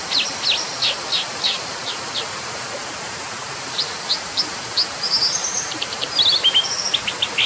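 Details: Brown dipper giving fast clusters of sharp high chips, a short pause, then spaced chips building into a rapid trilled and zigzag phrase, over steady rushing background.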